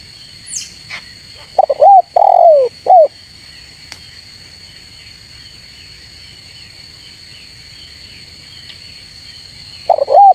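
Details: Spotted dove calling to lure rivals: a few loud, low cooing notes, some curved and falling, clustered near the start, then a long pause before another coo at the end, over a steady high-pitched insect whine.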